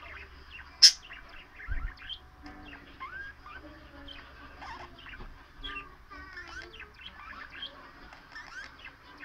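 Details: Caged pet bird talking up a storm to her bell, mimicking the words "baby bird" in chirps; a bright bell strike and a thud open a steady chattering warble of quick chirps, rising whistles and squeaky notes.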